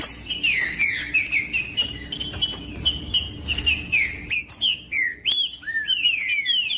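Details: Captive-bird stimulation recording of a green-winged saltator: rapid run of clear whistled notes, many sliding downward, forming continuous phrases, accompanied by frequent clicks and a low steady hum.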